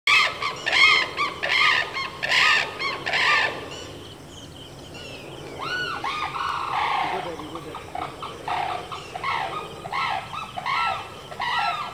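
Sarus cranes trumpet loud, rich, brassy calls in rapid bursts, a quieter pause, then a steady run of ringing notes about once a second.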